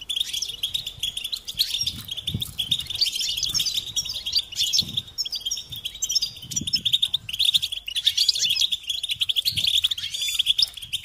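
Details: European goldfinch song on a tape for teaching chicks: a long, unbroken stream of tinkling, twittering notes, with faint low thumps in the background.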